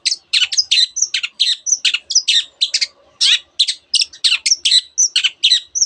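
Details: Long-tailed shrike in full song, its mimicry said to include canary and many other birds: a rapid run of sharp, scratchy chattering bursts and brief whistled notes, several notes per second, delivered densely and without pause.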